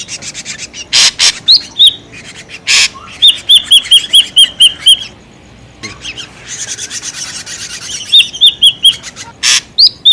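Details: Ashy drongo calling noisily, a lure sound for trapping: loud scratchy bursts, then a quick series of ringing whistled notes, a burst of harsh chatter, and another whistled run.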